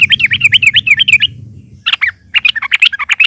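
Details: Sooty-headed bulbul (trucukan) played as a lure for other birds: fast, warbling, up-and-down chirps in a dense string, a short pause, then more tumbling notes over a low background hum.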